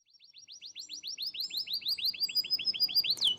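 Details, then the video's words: Kenari AF canary in full, energetic song, with a long tight run of rapid repeated notes: about twenty slurred descending whistles in quick succession, gradually speeding up and rising in loudness, ending in a sharp upward sweep. "KENARI AF GACOR, durasi panjang tembakan rapet"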